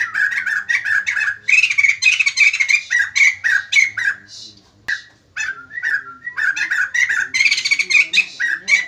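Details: Loud, chattering song of a white-crested laughingthrush in full voice, said to make other birds respond: dense, rapid, harsh laughing bursts stream on almost without pause, with a short break near the middle.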